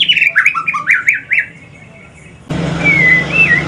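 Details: Mutation white-rumped shama from Aceh, a male, in the evening: a short series of loud, rich whistled phrases stepping downward, a pause, then a soft wavering whistle over a sudden burst of broadband noise and hum.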